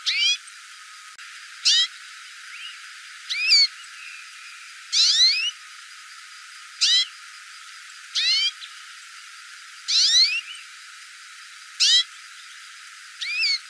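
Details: A hooded siskin calls repeatedly, about nine brief bursts of thin, rising, buzzy-edged whistles at uneven intervals of one to two seconds, with softer short notes between some calls.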